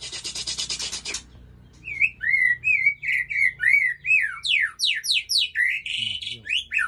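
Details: Male white-rumped shama (Aceh type) singing alongside a female from Ujong Pancu: after a second of harsh broadband hiss, it gives wavering whistled phrases that turn into fast, steep, high sweeping notes in quick succession.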